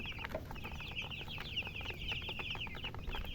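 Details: Several chicks give fast, shrill, slurred cheeps in quick succession, a dense lively chorus over faint background noise.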